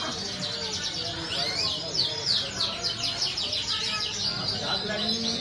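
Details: A yellow Parisian Frill canary, one of a jumbo-size breeding pair, sings a fast, unbroken run of high rolling trills and chirps, changing tempo every second or so, over a low background hum.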